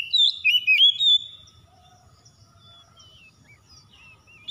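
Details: Spotted dove call meant to provoke fighting, opening with three loud arched coos, the middle one longest, followed by a run of soft, fading coos.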